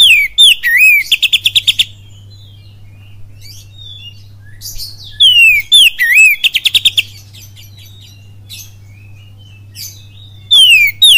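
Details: Lure song of a kacer, oriental magpie-robin, in full kapas tembak style from Cililin: two phrases about six seconds apart, each with falling whistles and a curling note leading into a fast rattle of clipped notes, plus a final down-slur; low hum throughout.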